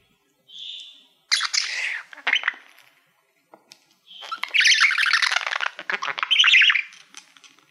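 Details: Budgerigar, a male pet fond of mirrors, singing to a reflective silver award: a soft whistled note, a burst of scratchy chatter, a quiet pause, then a long, dense, buzzy warble full of squeaks.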